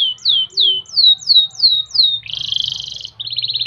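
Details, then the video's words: Canary training song in the ornate gobat gabet style, played so birds sing diligently: six sweeping descending whistles in quick succession, then a dense buzzy rattle and a faster pulsed trill, over a faint low hum. "MASTERAN KENARI MEWAH GAYA GOBAT GABET"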